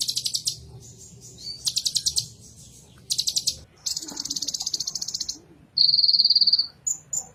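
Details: Purple-throated sunbird (kolibri ninja) song: quick high trilled bursts, a sustained buzzy trill, then a loud, very high, piercing rapid trill and short closing chirps.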